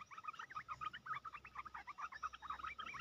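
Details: Red-whiskered bulbul kept in a cage as a decoy for bird trapping and placed on the ground while displaying; dense, continuous chattering of short warbled notes throughout, fairly even in loudness.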